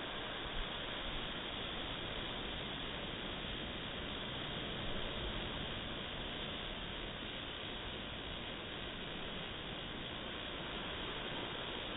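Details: Steady broadband hiss like wind or rushing air, with no animal calls heard.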